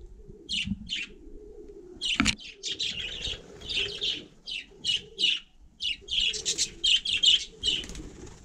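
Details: Budgerigar sitting on snow during frost, chattering steadily in short bright chirps and rasping warble notes, roughly two or three per second, with one sharp click and a quiet low rumble beneath.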